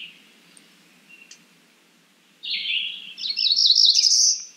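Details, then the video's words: Cerulean warbler calling: a few faint, thin high notes, then a loud buzzy phrase that climbs and ends in a sustained high buzz; quiet low background hum. "Cerulean warbler Calling."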